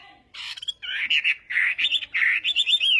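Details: Chinese hwamei singing in a contest-style morning voice-training session: loud, rich warbled phrases with rapid slurred notes and rising-falling whistles, delivered in bursts after a brief quiet start.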